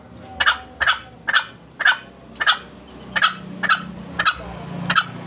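A green junglefowl gives about ten short, harsh, clipped notes, roughly two per second. A faint low hum runs underneath in the second half.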